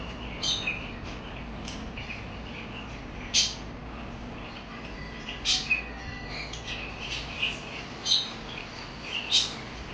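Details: Parakeet chirps scattered through ten seconds, quick high squeaky notes coming in irregular bursts, a few louder sharp peaks standing out above a constant background hum.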